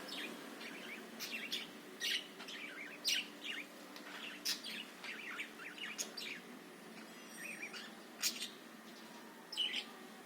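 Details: Budgerigar warbling to fire up other birds: quick high chirps, squeaks and little slurred whistles in loose irregular bursts, a few louder clicks standing out, with a steady faint hum below.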